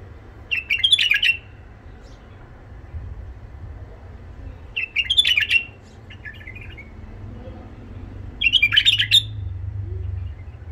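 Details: A tame Iraqi white-eared bulbul, described as having a rough voice and golden throat, sings to train young bulbuls: three short, bright chattering bursts spaced several seconds apart over a steady low hum.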